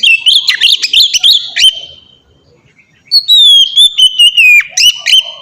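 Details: Ngeplong-style song of an Oriental magpie-robin, played to prompt young captive birds to sing often: bright whistled notes and quick chips in a rapid burst, a short silence, then a long sliding whistle with crisp accents.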